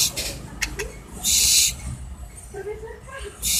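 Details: Barn owl (Tyto alba) gives harsh, hissing screeches: a short burst at the start, a long half-second rasp in the middle and another at the end, with faint human voices murmuring between.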